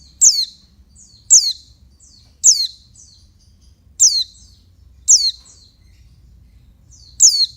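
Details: Oriental white-eye female giving her call to rouse males, a thin high downslurred chirp followed by brief twittery notes, repeated roughly once a second across the stretch over a soft low background hum.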